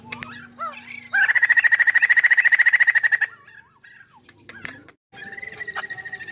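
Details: Chinese hwamei in full song: a few rising and falling whistles lead into a long, loud trill of fast repeated notes, a brief quiet gap, then another steady trill begins.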